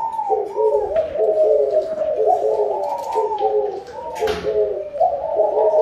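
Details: A chorus of spotted doves, said to call for a plentiful harvest, keeps up overlapping mellow cooing phrases, with a brief soft thump and a quieter dip near the fourth second.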